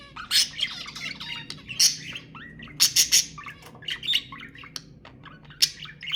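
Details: Several budgerigars chatter busily in rapid overlapping bursts of sharp high squawks, quick chirps and warbling notes; the sounds are offered to stimulate budgies to mate.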